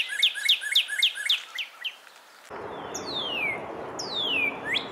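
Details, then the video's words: Northern Cardinal song, a common backyard bird of the eastern United States: a rapid run of about nine clear slurred notes, then long, loud whistles sliding steeply downward, over a soft background hiss. "Northern Cardinal Songs"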